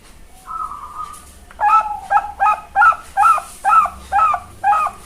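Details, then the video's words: Bangkok-type zebra dove, a young farm bird from Kebumen, Central Java, Indonesia, singing a melodious lure song to prompt replies: one drawn-out soft note, then a steady series of about eight loud, bubbling coos roughly twice per second. "Pancingan piyek perkutut bangkok suara MERDU bikin cepet NYAUT"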